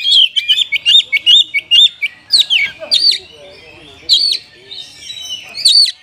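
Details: Caged Oriental magpie-robin giving rich 'gacor' song to provoke reluctant caged birds: a fast string of bright whistled notes, then louder sweeping phrases with gaps between them.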